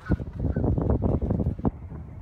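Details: Canada geese walking in a group at Sherwood Island State Park, Westport, Connecticut: a few short, nasal honks at the start and near the end, among busy low rumbling and shuffling noise.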